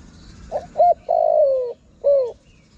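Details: Cooing lure call of a spotted dove for attracting wild birds, given as one phrase: a soft note, a clipped coo, a long sinking coo and a short falling coo, over low background hiss.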